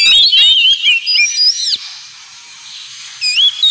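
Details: Ngemplong-style song of an Oriental magpie-robin, used as therapy for pet birds: a burst of fluid, warbled whistles and quick notes for nearly two seconds, a brief hushed pause with faint hiss, then whistled phrases resume.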